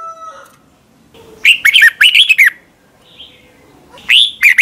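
Red-whiskered bulbul singing bursts of bright, bubbly whistled phrases, mid-to-high pitched and quickly repeated, with short pauses between phrases.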